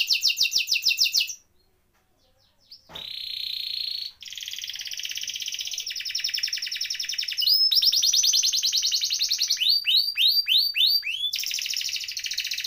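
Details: Canary with a rolling, varied song, used to teach and lure canaries that have gone quiet; fast rattling rolls, a short silence, buzzy trills, then a burst of sharp swept chirps before the rolling resumes.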